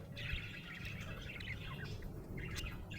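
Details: Happy budgerigar chirping in a continuous, busy warble of scratchy, fluttering notes, with short rising and falling twitters layered over a steady low background rumble.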